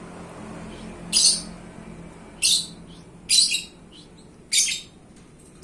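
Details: Paskun pet lovebird, a champion described as gacor, utters four short, shrill, high-pitched squeaks spaced one to one and a half seconds apart in a quiet indoor setting.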